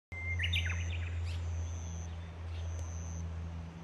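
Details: Japanese bush warbler singing after rain at 18:12 on June 16 in Shikokuchuo, Japan: a level whistled opening note followed by a quick tumbling flourish, with a strong steady low hum throughout.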